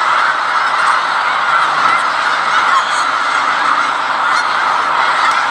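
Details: Large wintering flock of snow geese in Skagit County, Washington, in mid-January: a dense, continuous wall of overlapping honking and yelping calls with no break.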